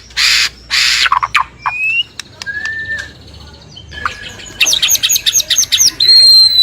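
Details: Morning lure song of a white-rumped shama, meant to set other shamas singing: two harsh rasping bursts, then scattered clear whistles and clicks, finishing with a fast series of high looping chirps and a held whistle.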